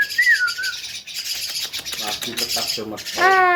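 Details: Javan myna giving a wavering whistle, then a hiss-filled stretch of rhythmic harmonic pulses and a loud nasal harmonic call at the close; a person greets the bird between phrases.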